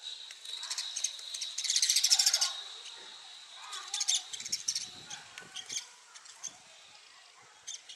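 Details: Angry sparrow fighting a mirror, taking its reflection for a territorial opponent: intense burst of rapid high chirps early, then spaced chirps and soft tapping, with a steady thin high tone throughout.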